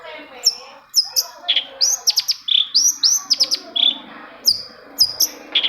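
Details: Long-tailed shrike song, played as a lure to get silent shrikes singing: varied high chattering notes, sharp upslurred whistles and rapid clicking bursts, loud and busy with no pause longer than a moment.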